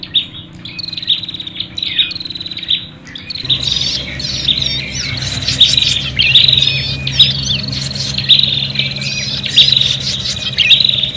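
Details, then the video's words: Lure track of agitated, fighting prinias. Sparse high chips open the passage, then a dense burst of overlapping chattering, trills and squeaky notes builds and continues to the end above a low hum. "suara prenjak pikat ribut tarung"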